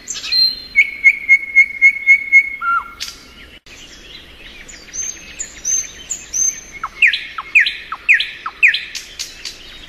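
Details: Thrush nightingale in spring song, opening with a fast string of pure piping notes, a low whistle, then brief quiet before varied slurred whistles and loud, sharp downward-swept clicking notes repeated about twice a second.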